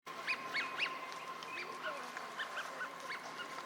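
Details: Eurasian wigeons wintering at a park pond in Chiba, Japan, in March 2025 give clear, rising-falling whistles, several per second from a few birds overlapping, over a steady low hum.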